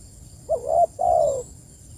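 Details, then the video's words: One full cooing phrase from a spotted dove calling its companions: a short wavering hoarse note and a longer level coo, low and throaty, with a quiet hiss behind. "Panggilan suara || TEKUKUR || nekan lawan"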